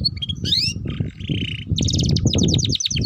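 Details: Canary song in the chattering ngeriwik style, played to coax young canaries into singing: high trills, a rising sweep and fast repeated buzzy notes over a steady low rumbling background noise.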